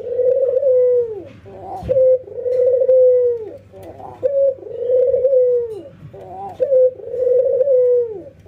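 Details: In routine training, an albino white ringneck dove and a local one nod and laugh; four even, purring coos, each ending in a downward slide, alternate with quick chuckling stutters, roughly every two seconds.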